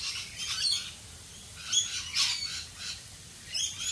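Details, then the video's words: Australian rainbow lorikeets calling in the rain: shrill, harsh screeches and chattering bursts, about five in four seconds, over a steady hiss of rain. "Rainbow Lorikeets Singing in the rain"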